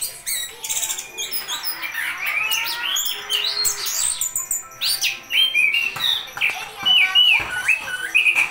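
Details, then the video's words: Orange-headed thrush in konslet style, pouring out a long, fast jumble of bright chirps, rising and falling whistled slurs and rapid trills, the phrases tumbling over each other, with some faint tonal background sound. "Anis Kembang Janoko Konslet"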